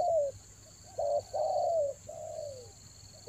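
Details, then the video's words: Spotted dove lure call for the rainy season: a loud, low coo followed by two longer, rounded, slightly falling coos, with a steady high electronic whine running throughout. "TEKUKUR PIKAT RAJA ANGGUK"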